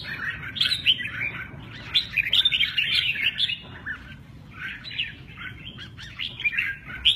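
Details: Red-whiskered bulbul performing 'mơ ché nẹt' song with lively wing play; dense run of bright, chattering, slurred whistled notes that pause briefly near four seconds, then resume, with a faint low hum beneath.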